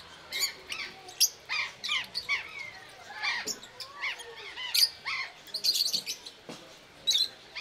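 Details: Rosy-faced lovebirds (Agapornis roseicollis) at Belgrade zoo in October 2022 give shrill, squeaky chirps and harsh chatter in quick irregular bursts, several birds overlapping, with sharp high peeps standing out.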